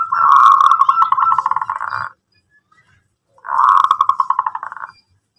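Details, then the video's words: Local zebra dove in full song, meant to lure other doves into answering; two rolling, rapidly pulsed cooing phrases of about two seconds and one and a half seconds, separated by a pause. "PERKUTUT LOKAL GACOR memancing BUNYI jadi NYAUT ikut MANGGUNG"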